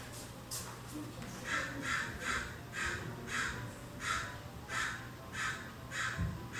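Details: Many American crows in a California backyard, unafraid of people, calling in morning and evening, recorded from inside a house; a long series of harsh, raspy caws roughly every half second, with a low hum beneath.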